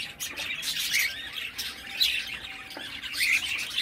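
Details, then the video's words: Baby cockatiel making raspy, scratchy squawks mixed with a few thin whistled chirps, calling continuously in uneven bursts. "Baby cockatiel"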